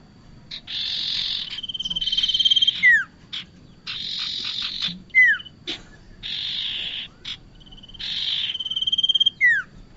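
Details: Bar-winged prinia lure calls for trapping: a cycle of a drawn-out buzzy rattle, then a level whistled trill, then a sharp descending whistle, repeated roughly every three seconds.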